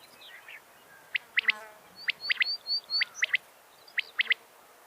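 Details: A quail gives sharp, clipped three-note phrases about every second, with thin, high whistled notes between them over a faint background hiss. The recording is presented as a quail-catching sound.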